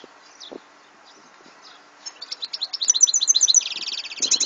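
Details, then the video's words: From 2014, a European goldfinch starts quietly and builds into a fast, loud series of repeated high twitters and a dense buzzy trill, with a few soft low knocks early on. "Chant de chardonneret"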